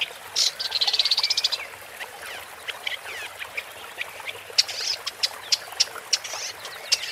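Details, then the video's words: Woodchat shrike opening with a rapid rattling trill of even notes, followed by scattered sharp clicks and brief scratchy fragments spaced irregularly. "Woodchat Strike (Lanius Senator) Bird Song"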